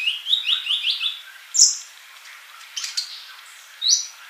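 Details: Sunbird singing energetically ('gacor'), recorded as training material for songbirds: four quick rising, slightly buzzy notes in a row, followed by a few isolated, very high, sharp chirps separated by short silences.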